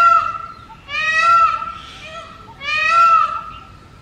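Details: Early-morning male Indian peafowl, wild, singing loudly atop a house: the tail of one cry, then two long nasal wails with brief gaps between, the second ending in a downward slur.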